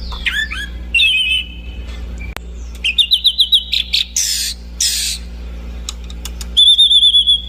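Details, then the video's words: Orange-banded thrush singing a varied phrase: downslurred whistles, rapid trills of repeated notes, buzzy bursts and a final high wavering whistled series, with quiet pauses and a steady low hum beneath. "kicau burung anis cendana"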